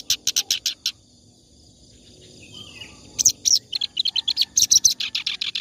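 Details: Clamorous reed warbler singing for tutoring other songbirds: a quick volley of rasping notes, a two-second gap with faint background sound, then a livelier stream of chattering, squeaky phrases.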